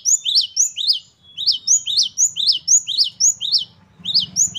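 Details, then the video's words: Great tit, called gelatik batu, singing energetically with varied phrasing: rapid high two-part chirps repeated steadily, a brief gap mid-way, and a faint low hum underneath toward the end. "Gelatik Batu Gacor Variasi Mewah. Great tit. Singing birds. Parus Major."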